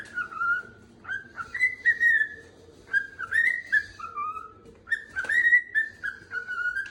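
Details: A pet cockatiel whistles loud, clear phrases of rising and falling notes in short repeated bursts, apparently calling to wake its owner upstairs on the second floor.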